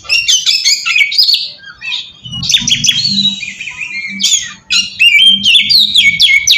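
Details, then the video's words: Oriental magpie-robin lure song for calling in untrained birds: harsh chattering notes and buzzy phrases, then bright rising whistles, over a soft low hum in the middle. "suara pacingan burung kacer ampuh!! buat mancing kacer bahan dijamin langsung nyaut"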